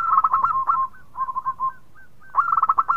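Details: Local zebra dove singing sweetly and persistently, said to prompt other birds to call: a quick bubbling coo phrase, a softer run of short notes, a pause with faint single notes, then another fast rippling burst.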